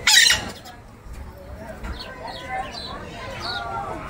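Scarlet-fronted parakeet giving one loud, harsh, grating screech, followed by softer scratchy chattering notes over the next few seconds.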